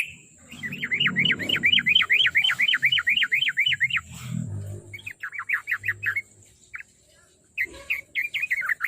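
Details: Sooty-headed bulbul singing to encourage a kept bird to sing every day: a rapid run of rolling, up-and-down warbled notes for several seconds, then shorter choppy phrases after a pause, with background hum.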